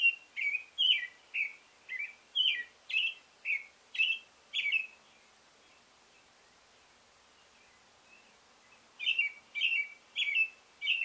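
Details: Singing male American robin delivers a rapid string of about nine liquid caroling phrases, pauses for several seconds, then resumes with four more rich, downslurred whistled notes against a calm, quiet background.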